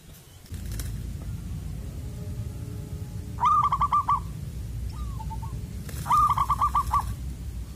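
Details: Perkutut, the zebra dove, with a rare loud, piercing Koong voice heard from afar, during wild-bird luring; two strong phrases of fast, ringing, stuttered coo notes, a soft short trill between them, low background hum.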